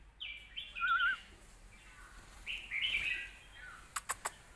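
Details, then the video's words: Red-whiskered bulbul singing a score-winning competition song, southern master style, with full tone and phrasing, played for training young birds; faint short warbled and whistled phrases with two pauses, then three sharp clicks near the end. "เพลงเรียกคะแนน น้ำเสียง+สำนวนครบ(ไว้ฝึกลูกนก)"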